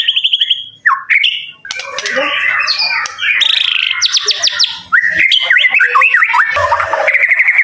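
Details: Kept songbird offered in Kemayoran, Central Jakarta: a loud, varied song of sliding whistles, rapid high buzzy notes, squeaky chatter and harsh squawk-like phrases, changing pattern every second or so.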